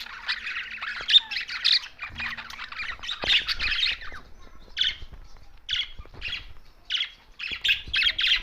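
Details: Budgerigars chirping: dense warbled chatter at first, then separate short chirp bursts repeated about every second, with occasional clicks.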